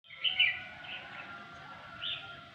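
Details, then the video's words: A flock of red-whiskered bulbuls, five or six birds, singing on a fine morning: a short burst of clear warbled high notes, a softer phrase, then another brief warble, over a low steady hum. "một buổi sáng đẹp trời chim hót líu lo"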